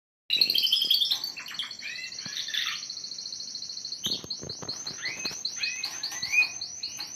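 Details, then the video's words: Young canaries starting to sing during song training: a bright high trill, then a few falling slurred notes, then a long, fast, even rolling trill of rapidly repeated high notes with some softer twitters underneath. "بداية تغريد فراخ طيور الكناري- التسميع والتعليم👌canary singing"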